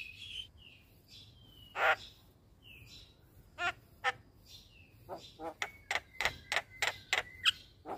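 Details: Javan myna singing in the morning and nodding its head, recorded to train caged birds: scattered whistles and a harsh note, then a series of sharp clicking notes mixed with steady whistles.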